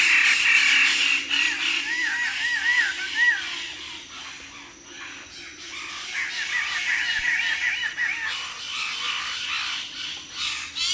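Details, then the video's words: Wallace's standardwing at Labilabi, giving animated group calls from the junior perch. Rapid runs of looping, yelping notes come in bursts. Harsh chatter and rustling noise lie between the bursts, with a quieter stretch in the middle. "Wallace Standard / Wallace's Standardwing. CU, Animated Group Calls From The Junior Perch"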